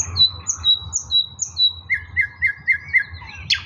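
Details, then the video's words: Recorded 16 May 2024, an eastern nightingale gives high whistled slurs repeated about twice a second, then a lower series of five quick repeated notes and a final harsh burst. "bulbul ovi vostochniy Nightingale singing Russian соловей восточный"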